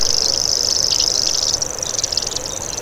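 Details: High, unbroken insect-like buzz from a common grasshopper warbler, a species of European and Asian grasslands and dense vegetation, sustained through the whole stretch with a slight flutter and a soft dip in loudness midway.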